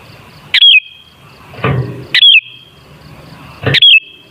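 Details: Lure song of a sooty-headed bulbul, meant to provoke other bulbuls into singing: three brief bright whistled phrases, about one and a half seconds apart, each trailing into a sustained thin tone, with soft low thuds between.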